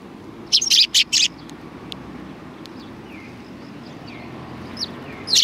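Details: Sparrows coming to be fed at a Tenmangu shrine on 7 October 2020; a quick burst of three or four bright, sharp chirps early on, then faint scattered tweets over a steady low rumble of background noise.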